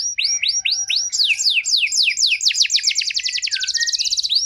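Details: Canary song played to trigger singing in out-of-condition canaries: steady falling sweeps accelerating into a very fast, dense high trill, ending with a lower slurred note.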